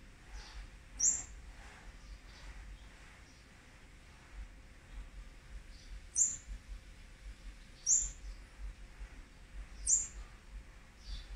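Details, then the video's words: Olive-backed sunbird nestlings from a fourth brood being fed, day 18 of feeding, 8 March 2020. Piercing high chirps come at irregular intervals, four loud ones over eleven seconds, with fainter squeaks and a low background hum. "นกกินปลีอกเหลือง รุ่น๔ ป้อนอาหารวันที่๑๘"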